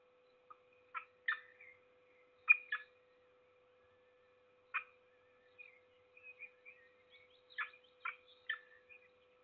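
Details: Peregrine falcon at a nest in Trzebież forest district, Poland, feeding its single chick on 7 May 2022: short harsh, rasping call bursts, some in quick pairs, separated by silent gaps, with faint thin whining notes between them.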